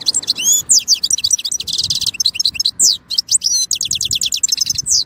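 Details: European goldfinch in continuous song: dense, high, tinkling twitters mixing buzzy trills, rising and falling whistled slurs and rapid repeated chips, barely pausing.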